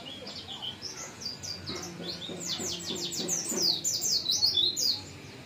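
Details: White-eye starting to fire off its learned song material: a rapid run of high, thin twittering notes with quick sweeping slurs, building into a dense trill before fading, against a faint low hum.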